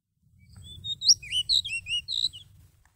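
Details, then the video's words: Lure song of a Seychelles magpie-robin for trapping birds, recorded November 2016: a rich, continuous phrase of varied whistles, slurred up and down and bright chirps, over a soft low background hum. "Trapping bird Seychelles magpie-robin attractive and most exciting 11/2016"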